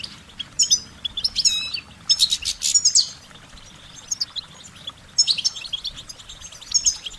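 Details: Goldfinch song of short warbling notes. Rapid tinkling twitters open the passage, followed by loud buzzy rattles, then more scattered high chirps after a brief lull.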